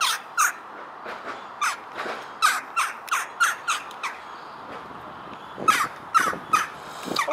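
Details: Young jackdaw at Dartmouth, Devon, pestering tourists. It gives harsh, squawking begging calls about a dozen times in seven seconds, at an uneven pace, sometimes doubled. Quiet background with faint people's voices.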